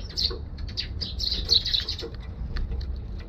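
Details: Eurasian tree sparrows flying in to a balcony give a quick run of short, bright chirps, several overlapping, over a steady low rumble and a soft flutter of wings; 1 December 2021.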